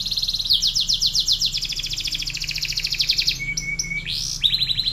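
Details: Panda-patterned canary in full, vigorous song: one long run of rapid repeated downward-sweeping notes changing speed and pitch, a thin steady whistle, then a rising slur and another fast trill.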